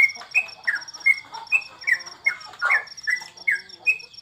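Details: Sooty-headed bulbul (trucukan) while bird contests are on hold during the COVID period. Bright whistled notes repeat roughly every half second, several dipping down in pitch, over a fast, steady, high-pitched ticking in the background.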